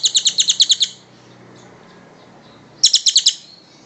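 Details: A kingfisher's quick rattling call, kept as master material for cage-bird training: a run of about eight sharp high notes, a quiet gap, then a shorter run of around six notes.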